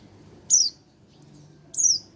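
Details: Oriental white-eye, a young bird one month old, uttering two clear, high falling chirps just over a second apart; quiet low hum in the background.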